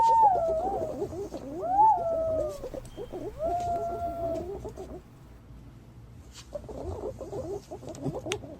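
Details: Green pigeon call used as a lure for trapping: three long, clear whistles in the first four seconds, each gliding downward, rise over a dense chatter of short wavering notes, with a steady low hum beneath.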